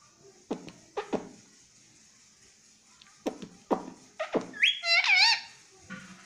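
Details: A pet parrot (tagged as a green ringneck) gives a short, nasal, warbled imitation of "mummy" near the end, after several soft knocks and thumps in a small room.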